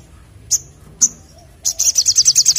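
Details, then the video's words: Crimson sunbird singing actively in the ngleper ngalas style: two sharp high chips, then a rapid run of very high, even trilled notes building toward the end. "Sogok Ontong Gacor Ngleper Ngalas"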